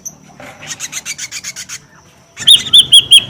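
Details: Noisy ashy drongo lure call opens with a rhythmic series of raspy, scratchy pulses, then switches to loud, evenly spaced whistled notes repeated about five times a second.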